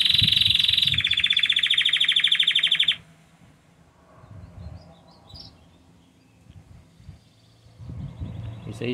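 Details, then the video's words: Intense yellow Belgian canary in song: a fast, very high pulsed trill held for about three seconds that then stops, leaving quiet room noise and a few faint chirps. "CANÁRIO AMARELO INTENSO CANTANDO MUITO!!!"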